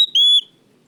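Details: Oriental magpie-robin, a loud kacer lure singer, gives a brief opening note followed by one sustained, level, pure whistle.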